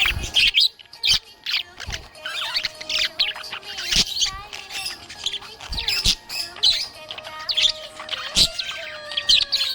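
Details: Happy budgerigar chirping: rapid, scratchy, high chatter with short clicks and squeaky notes in bursts. Steady low tonal lines run underneath.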